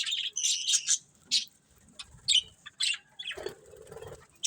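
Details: Budgies giving quick, sharp high chirps in short separate bursts, followed by a lower, longer rasping note near the end, with brief pauses between calls.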